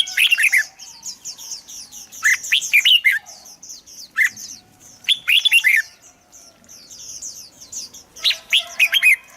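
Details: Red-whiskered bulbul song meant to prompt singing: four bursts of rich, rapid warbled phrases about two seconds apart, backed by thin high chirping from a crowd of birds.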